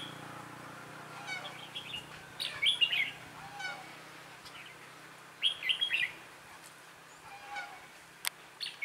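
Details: Caged decoy red-whiskered bulbul singing at a trap to draw in wild birds, 11 December 2016: short bright warbled phrases in separate bursts a few seconds apart, with faint chatter between.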